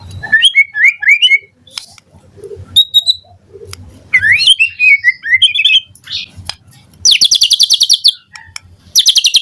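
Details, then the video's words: Morning lure song of a white-rumped shama with full fill-in phrases, used to prompt a reply: looping whistled phrases, quick chirps, sweeping slurs, then two bursts of very fast buzzy rattling notes, with soft low background rumble. "Pancingan Murai Batu PAGI HARI EFEKTIF Bikin NYAUT RESPON Suara Burung Murai Jadi Gacor Full Isian"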